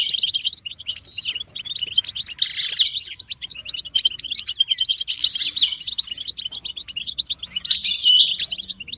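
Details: European goldfinches in a group twittering recording meant to stimulate caged males to sing; dense, rapid high chirps and liquid trills, with louder tangled bursts near two, five and eight seconds, no other sounds.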